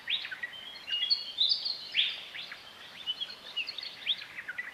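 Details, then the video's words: Willie wagtails calling in the dark during an Outback Australian dawn chorus, every bird here singing the same regional dialect song; high, quick twittering and squeaky notes repeated irregularly over a steady hiss of background noise. "is a dawn chorus from Outback Australia and if you listen you can hear Willie wagtails across the landscape"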